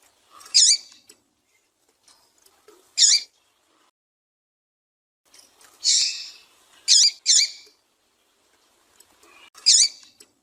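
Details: A female double-collared seedeater gives calls used to stir up and excite males: short, high, sharp chip notes, singly or in quick pairs, spaced a second or more apart, against a quiet background.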